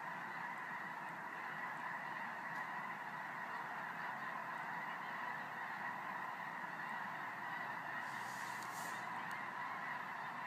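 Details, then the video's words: A vast flock of geese passing overhead at night, thousands strong, producing a continuous roar of layered honking at an even level throughout, with a short hissy burst near the end. "The Sound of Geese"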